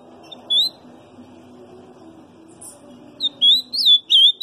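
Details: Ultramarine grosbeak singing softly in subsong. A single thin whistled note, then after a pause a short burst of quick, slurred warbling notes, over a steady low background hum.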